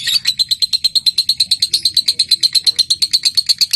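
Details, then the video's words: Lovebird in the long chattering style called ngekek, used to prompt other lovebirds to sing: a fast, even stream of high, sharp chirps, roughly seven per second, steady throughout. "Pancingan lovebird ngetik lanjut ngekek"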